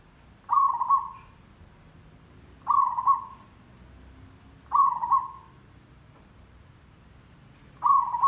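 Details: Repeated coos of a zebra dove, recorded as a lure for trapping: four short, warbled, mid-pitched phrases, each fading away, spaced about two to three seconds apart, with quiet background hum.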